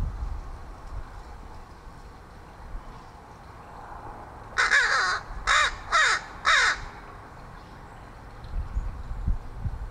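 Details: Crow from a group of neighborhood crows fed at a fire escape, friendly toward its feeder; after several seconds of low background hum, four harsh, evenly spaced caws in a rapid burst, then faint thumps.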